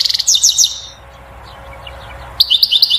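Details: European goldfinch singing to stimulate a female toward mating and nest building. A brief, fast, bright twitter is followed by a second after about a second of near silence.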